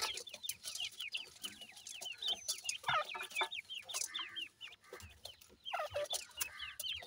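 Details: Several young grey francolin chicks playing, keeping up a dense, continuous stream of short, high, rising peeps repeated several times a second, sometimes overlapping in chattering runs.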